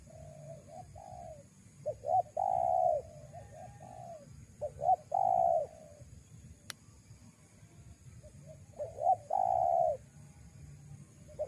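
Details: Wild-dove lure of a spotted dove: several phrases of quick stuttered hoots rising into a long, rounded coo, separated by quieter softer coos, with one sharp click midway.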